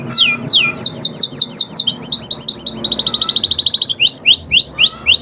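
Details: Gacor canary in owor-owor style, played to coax birds into song: swift falling whistles in groups, a quick dense trill, then more spaced descending notes.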